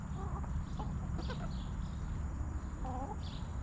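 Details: Hens relaxing inside a backyard coop: short clipped clucks at the start, a quick burst near one and a half seconds, and a drawn-out wavering cluck near the end, over a steady low hum.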